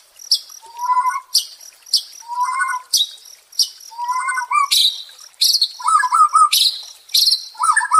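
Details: Caged white-rumped shama song played as therapy for stressed birds: short falling warbled phrases near the low range alternating with sharp high notes, repeating roughly every second, getting busier toward the end.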